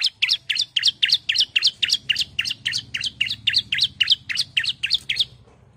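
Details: Female bar-winged prinia calling the male, a steady fast series of sharp, bright two-part notes, nearly four per second, over a faint low hum.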